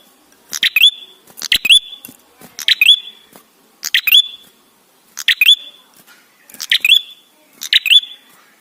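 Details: Ashy tailorbird song used to lure other birds into singing: seven clean phrases, each a cluster of sharp chips ending in a rising whistle, spaced about a second apart over quiet background.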